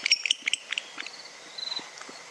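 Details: Barn owl giving its twittering call, quick high chips in rapid bursts, about five notes in the first second, then softer scattered notes; possibly echolocation used while flying, though this is unconfirmed.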